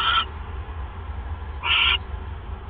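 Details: Night of 28 January 2015: an owl pair at a mouse handover, the male delivering prey to his mate. Two short, squeaky calls about one and a half seconds apart over a humming background.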